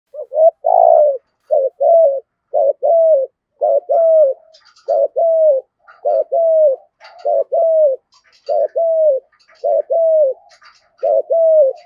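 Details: Spotted dove cooing in the 'giọng thổ' style, used to lure wild doves to call and come in: a steady series of short, low, falling coos, roughly one per second, with faint high chirps from other birds in the background.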